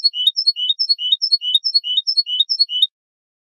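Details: Goldfinch song in the clean style, from a 2015 recording for training young birds. A steady series of rising, two-part whistled phrases repeats evenly, about thirteen times, before stopping abruptly.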